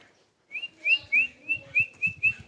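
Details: A tame Sooty-headed bulbul repeats seven short, bright, upslurred whistles at an even, brisk pace, with faint low thumps underneath.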